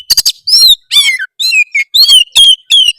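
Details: Oriental magpie-robin singing a harsh song meant to provoke rivals into singing: a quick series of high, varied whistled and buzzy notes, some sliding downward, roughly three notes per second, with no other sounds.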